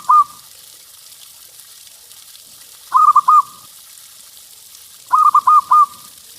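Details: Zebra dove of a local strain cooing as a lure to get birds singing fast; short phrases of three or four rapid, mellow rolling coos ending in a drawn-out note, repeated about every two and a half seconds.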